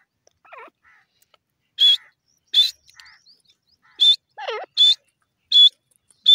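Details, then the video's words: Grey francolin, locally called dakhni teetar, calling: loud, shrill high-pitched notes in short bursts about every three-quarters of a second, with quieter downward-slurred notes between them in an otherwise silent setting. "dakhni teetar bird ki awaaz,teeter lovely sound"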